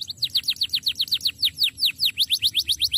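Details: Canary song used as a training recording for other birds: rapid series of high downward-sweeping whistled notes repeated about seven times a second, a steady rolling trill.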